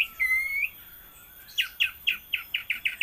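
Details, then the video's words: Orange-headed thrush, raja patah style: a long level whistle followed by a quick series of eight short clipped notes repeated steadily. "anis merah KJ (raja patah)"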